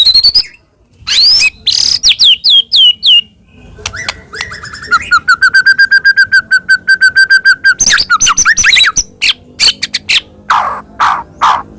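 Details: White-rumped shama song used to provoke another shama into singing: sharp descending whistles, then a long steady run of rapid repeated whistled notes, and broad harsh notes near the end.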